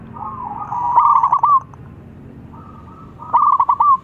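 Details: Local zebra dove in strong calling form, a rival answering at once: two mid-pitched cooing phrases, each a long wavering note ending in quick pulsed coos, about three seconds apart.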